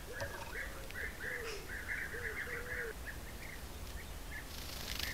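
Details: European bee-eaters from a colony of about 20–30 birds visiting an apiary at Corte Franca, caught by a camera trap: rolling, burry mid-pitched calls in a steady overlapping series, with a lower repeated note beneath and a rushing noise at the end.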